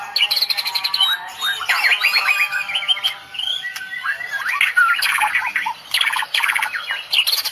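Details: White-rumped shama of the Medan type delivering a 'tembakan' song packed with cililin-style fill: rapid varied whistles, chattering trills and sharp upslurred notes, nearly continuous with brief pauses, all fairly high-pitched.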